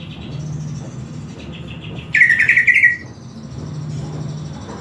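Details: Greater green leafbird, sung while being tutored with master audio: one sharp burst of fast, buzzy, rattling notes, rising slightly, set against faint high tones and low rumble.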